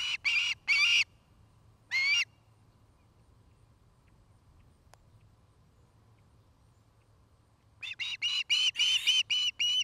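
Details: Osprey pair at their new nest near a Great Horned Owl family in Charlo, Montana, on a nest cam in 2018. Bursts of sharp, whistled chirps come in quick runs, then a long quiet gap, then a rapid chirping series at the end.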